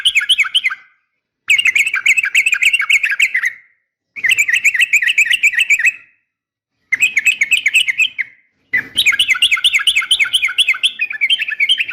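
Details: Fighting call of a female yellow-vented bulbul calling a male, used to make bulbuls sing back: repeated bursts of fast, bubbling chatter, each about two seconds long, broken by brief silences.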